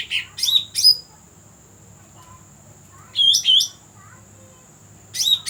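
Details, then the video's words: Cucak rante call suited for bird luring: short squeaky phrases of bright, twisting chirps come in bursts about two seconds apart, with silence between them. A constant thin high tone and a low hum sit in the background. "Suara asli Cucak Rante cocok untuk pikat"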